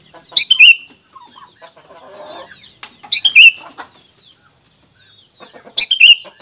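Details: Sooty-headed bulbul lure sound meant to get wild bulbuls to answer: three short whistled phrases about every three seconds, each ending in a falling note, with soft scratchy sounds in between.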